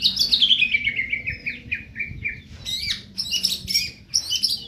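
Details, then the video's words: Medan-type white-rumped shama singing a rapid descending run of sharp chirps, then loud scratchy high bursts repeated in quick succession; faint low hum behind. "Burung murai batu medan"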